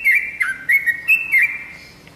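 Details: Lure song of a yellow-vented bulbul, used to prompt kept birds to reply: a few clear, bubbly whistled notes with quick up-and-down inflections, separated by short pauses, then trailing off into quiet.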